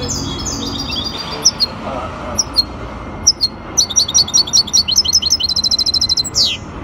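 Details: Hybrid goldfinch song at an Ain Chock association singing competition, 23 May 2021: scattered sharp chirps building into a fast, even trill of bright repeated notes, ending in a descending slurred whistle.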